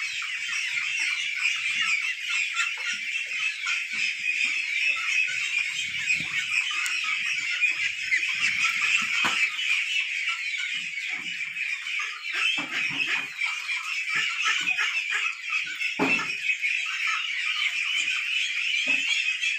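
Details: A large flock of white Pekin ducks on a duck farm keeps up a dense, continuous chorus of overlapping quacks and chatter.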